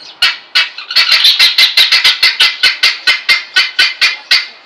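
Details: Helmeted guineafowl in the wild giving a harsh, grating cackle: about fourteen loud, noisy notes in under five seconds, delivered in a fast, even series, each note abrupt and rasping, with no other clear sounds.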